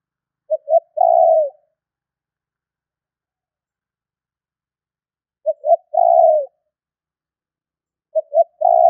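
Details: Spotted dove call used to lure wild birds: two short soft hoots followed by a longer mellow coo that slides slightly downward, given three times with long silent gaps between phrases.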